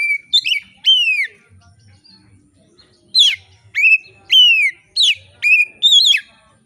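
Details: Vigorous, clear-voiced oriental magpie-robin song meant to provoke other magpie-robins into singing: sharp, falling whistled notes in two bursts separated by a quiet pause of nearly two seconds.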